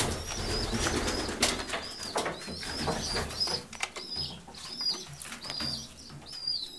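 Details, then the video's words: Homing pigeons in a loft give thin, high squeaky notes in small clusters about once or twice a second, with rustling, flapping wings and other movement sounds. "Gołębie pocztowe"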